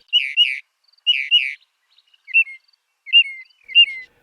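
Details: Northern Mockingbird singing in an Arizona desert backyard in spring: a harsh, rattling double phrase given twice, then a switch to a sharp, clear note with a falling whistle, repeated three times.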